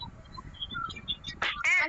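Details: Pipit recorded January 27, 2026 gives faint thin chirps, then two louder, harsh, rasping notes close together at the end.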